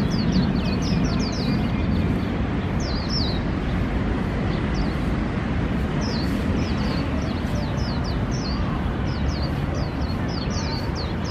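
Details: Swinhoe's white-eye in AIT Lohas Park, Taipei City: bursts of tiny, high, slurred chirps in quick sequences, pausing now and then, set against loud, continuous city traffic.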